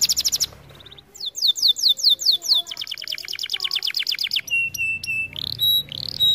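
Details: Canary training song with rich variety: a fast high trill, looping whistled swoops, a long chattering roll, then evenly spaced steady ringing notes and short rising whistles.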